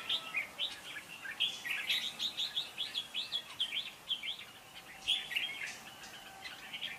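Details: Red-whiskered bulbul competitive song intended as a lure to trap birds and to spur other bulbuls to sing: a continuous run of bright warbled and chirped phrases, rising and falling, somewhat distant, with steady hiss behind.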